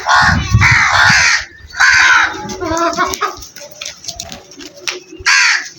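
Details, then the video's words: Crows cawing: harsh, hoarse, noisy caws in loud bursts, one long run of calls, a second burst a moment later and another near the end, with a low rumbling background in between. "Incredible Crow Sounds"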